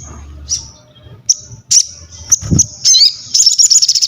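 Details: Crested jay singing, used for mental training, masterans and prompting other birds to sing: separate high, shrill whistles and slurred squeaks, building into a rapid rattling series of piercing pulses in the closing second.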